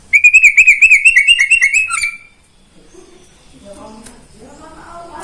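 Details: Greater green leafbird kept by a neighbour, morning song: a rapid run of bright repeated whistled notes lasting two seconds, then quiet with faint low background sounds.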